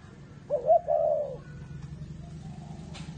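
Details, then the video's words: Spotted dove of the "whistle voice" (thổ mổ còi) type at a bird farm in Ba Vì, Hanoi, Vietnam. A single smooth coo phrase sounds, a short note then a sustained mellow one, and quiet hum follows. "CU GÁY GIỌNG CÒI (thổ mổ còi)"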